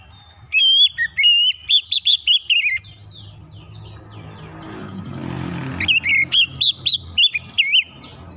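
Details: White-rumped shama song for prompting other shamas: a loud run of clear whistles and looping notes, a noisy middle gap with low rumble, then another rapid whistled phrase.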